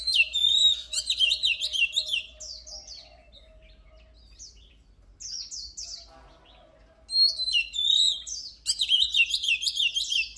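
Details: Loud, vigorous oriental magpie-robin singing: dense bursts of varied high whistles and chattering trills, a quieter pause with scattered notes, then another strong run of rapid phrases.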